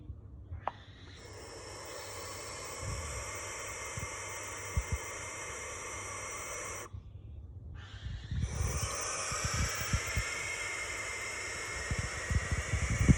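Barn owls give two long, harsh, hissing screeches, each lasting several seconds with a brief pause between, over low thumping and rumbling background noise.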